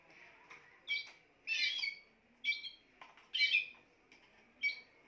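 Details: Bursts of bright, fast-rolling song from a Spanish timbrado canary, dense metallic rattles alternating with short chipped notes, separated by brief quiet gaps.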